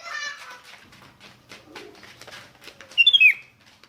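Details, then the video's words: Sooty-headed bulbul recorded as a lure for other bulbuls: after a noisy, cluttered stretch of clicks and rustling, a clear fast bubbly whistled phrase rings out near the end. "100% RANGSANGAN SUARA ASLI KUTILANG || DIJAMIN BIKIN KUTILANG LAIN IKUT BUNYI GACOR ROPEL"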